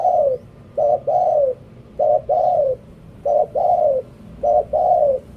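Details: Spotted dove used as a decoy bird, cooing in repeated phrases: a short clipped note, then a longer mellow coo that falls at the end, the phrase recurring about every 1.2 seconds against a low steady background hum.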